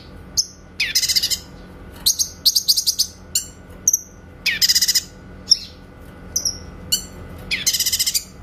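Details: A grey-cheeked bulbul sings its clear 'tembakan' song for training white-rumped shamas: several loud buzzy rattling bursts interspersed with thin high whistled notes and quick chip series.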